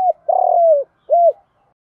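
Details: Spotted dove coo, lure material for getting captive doves to coo: a clipped start, a long buzzy coo gliding downward, then a single rounded closing coo.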